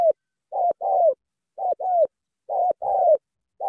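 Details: Cooing spotted dove from Cà Mau: three clear phrases, each a brief hollow note followed by a longer, warbling, gently falling coo, spaced about a second apart on a quiet background.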